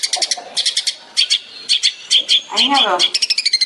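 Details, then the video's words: Long-tailed shrike (cendet), 'tembakan' specialist, as a master recording for training songbirds: clusters of shrill, buzzy chirps repeated more than twice a second, with a lower wavering warble midway. "CENDET SPESIALIS TEMBAKAN- CARA PERAWATAN BURUNG CENDET DAN MASTERAN"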